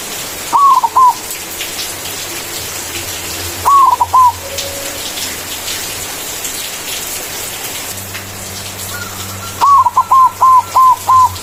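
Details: Loud manggung song of a white zebra dove, used to lure a rival: three soft fluted cooing phrases, the last one longer with about six rapid repeated notes, set against a constant hissing, rain-like background.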